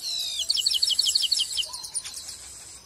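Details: A Chestnut-capped Blackbird (Chrysomus ruficapillus) of Brazil gives a quick run of about ten high, bright notes, then a buzzy, trilling finish, all within three seconds.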